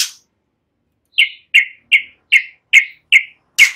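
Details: White-rumped shama (murai batu) in a relaxed song style with mimicry of cililin and ciblek, used for training songbirds: a run of seven short, harsh, high chips about every third of a second, then a loud burst.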